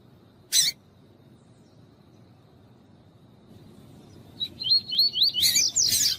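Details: Coleiro tuí-tuí, the double-collared seedeater, sings with a female calling to excite a male: an early sharp click, quiet pause, then quick repeated rising whistled slurs ending in loud buzzy bursts.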